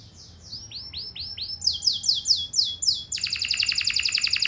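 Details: Canary song used to get other canaries singing in reply: soft rising-falling whistles building into louder repeated swoops, then a fast high rattling trill.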